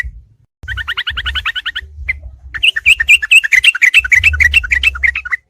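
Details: Combined training recording of trucuk, the yellow-vented bulbul, for songbirds at night. A rapid paired-note chatter opens the clip, then a longer run of bright, tumbling warbled phrases follows over a constant low hum.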